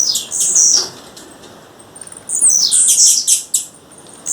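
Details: In the wild, a female blue-black grassquit gives high, thin whistled notes, then a faint pause and a second stretch of shrill, warbling, high chips ending in two sharp clicks.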